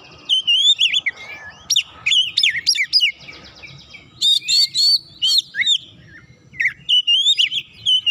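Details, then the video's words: Aroused by a rival, a white-rumped shama sings a long string of bright, varied whistles, sharp upslurs and rapid chattering phrases, with short pauses between bursts. "KACER LAWAN LANGSUNG PANAS NAIK EMOSI BONGKAR ISIAN SEKALI PANCING"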